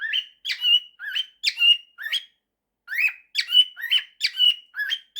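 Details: Male cockatiel at home singing a blend of 'September' and 'If you're happy and you know it': harsh rising chirps ending in level whistles, a run of phrases, a silent pause, then another run.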